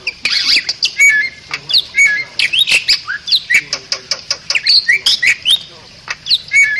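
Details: Singing Bali myna, recorded as tutor material for cage songbirds, delivers a busy run of bright whistles, rapid upslurred chirps and scratchy notes, bursts coming several per second with brief gaps between.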